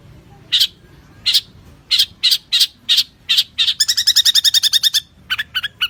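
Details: Long-tailed shrike (cendet), champion training recording: single loud, harsh, high notes spaced about half a second apart, breaking into a quick rattling trill of layered notes, then a few spaced notes again.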